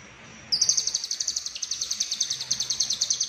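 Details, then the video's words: Lovebird from Cililin in konslet song, full isian: after a brief faint whistle, a rapid high pulsed trill starts abruptly and runs steadily for nearly three seconds, about eight pulses a second. "Lovebird Konslet Full Isian CIlilin"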